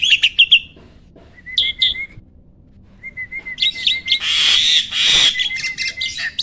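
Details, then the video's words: Starling training song said to provoke rival birds: a few quick chirps, quiet pauses broken by low steady whistles, then a loud harsh, grating burst with chirps over it. "MASTERAN BURUNG JALAK AMPUH!!!"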